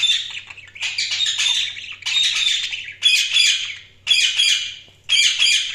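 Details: Budgies chirping in loud, harsh bursts of about one second each, repeated roughly once a second with short gaps, with buzzy squawky notes and bright high chirps layered together, and a faint low hum in the background.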